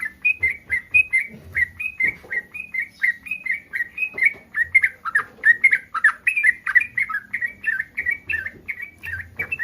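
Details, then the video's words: Yellow-vented bulbul in breeding condition, calling to provoke responses from other bulbuls: steady, lively sequence of short gurgling whistled notes, rapidly repeated without break, with faint low background sounds. "SUARA BURUNG TRUCUKAN BIRAHI"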